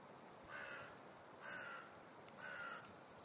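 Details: Crows on an ordinary afternoon in Clara Zetkin Park, Leipzig, gathering with many others; three harsh, slightly falling caws about one second apart, over a steady background hiss.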